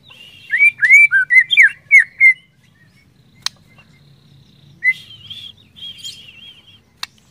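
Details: Trigger song of a white-rumped shama for prompting others to sing: a quick string of bright, jerky whistles, then sharp clicks and softer warbled phrases.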